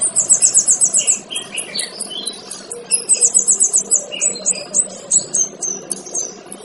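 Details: Male kinoy song used to train other birds, made of high rapid trills followed by a string of sharp, evenly spaced chips, with a few lower whistled slurs and a faint hum underneath.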